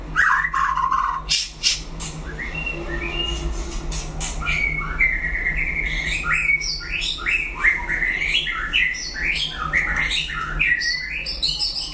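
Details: White-rumped shama in a solo singing duel: a long, varied song of whistled notes and sharp clicks that builds into rapid, zigzagging phrases jumping up and down in pitch, with a steady low hum throughout.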